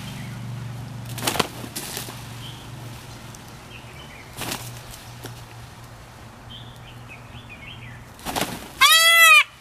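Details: Indian peafowl at the L.A. Arboretum in March 2019, mating season, two peahens fighting over a peacock: several loud wing-flapping bursts, then one harsh, ringing squawk, with soft small-bird chirps and a low hum.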